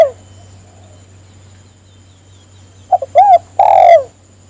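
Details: A spotted dove calling to get others to call. After a pause, one phrase of two short notes, a rising-falling coo and a long downward-sliding coo, with a low hum in the background.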